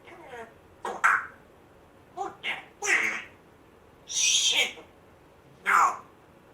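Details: Pet African grey parrot rescued a month earlier, known to copy a squeaky door, a chihuahua and throat-clearing, producing a string of varied squeaks, wheezes and harsh hissy bursts at irregular intervals indoors.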